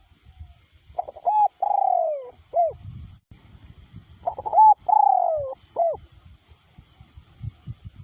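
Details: Strong wind fails to stop a caged decoy spotted dove: two clear coo phrases about three seconds apart, each with a short first note, a long falling middle coo and a brief last note, over faint wind.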